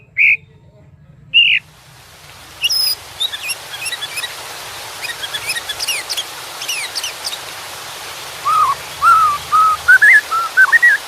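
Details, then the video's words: White-rumped shama amid water sound: two loud whistles, then many faint high sharp notes, ending with a run of rising fluty whistles. "Suara KICAU MURAI BATU dengan Suara Air"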